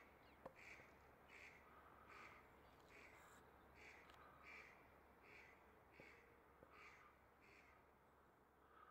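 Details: Rose-ringed parakeet pair at the nest in February, mating regularly; rasping calls given in a loose series roughly every second, over background hum with a few sharp clicks, jackdaws also present.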